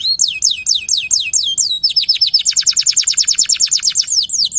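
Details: Local canary singing a lively, gacor-style song: swift repeated down-slurred whistles, then a fast rolling trill of rapid identical notes near five per second, ending in more swooping whistles.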